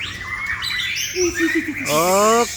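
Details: A male White-rumped shama sings clear high whistles, a quick run of lower falling notes, then a rising, ringing phrase, with a man's voice talking in the background.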